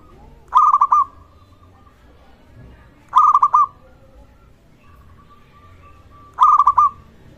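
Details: Local Indonesian zebra dove, a vigorous caller, used to prompt other zebra doves to call and raise rivals' arousal: three rolling, stuttering cooed phrases of four or five quick pulses, roughly three seconds apart, with a faint steady whistle between.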